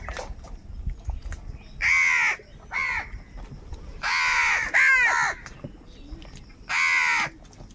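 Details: Crows quarrelling over food, calls angry: a run of hoarse, nasal caws, some long and drawn out, others short, one pair overlapping as two birds call at once, with gaps between bursts.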